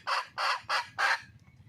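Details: Red junglefowl hen in the wild, calling to attract a male, gives four strong rasping clucks at an even pace, each about a quarter second long, followed by a soft hum.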